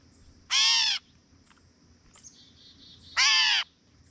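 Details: Two cat-like mews from a gray catbird, each about half a second long and harsh and nasal, spaced roughly two and a half seconds apart, with faint high chirps between them.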